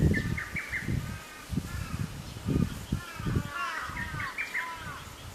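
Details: Lesser cuckoo at Atarashiki-mura, Moroyama, Japan, 24 May 2020, giving two hurried staccato phrases over heavy low thumping noise, with other birds' lower slurred calls mixed in.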